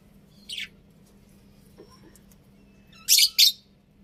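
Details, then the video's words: Budgies calling: a single high, downward-sliding chirp, a short quiet gap, then two loud, harsh, rasping chirps in quick succession, with a low background hum throughout. "Cute Budgies Chirping Sounds"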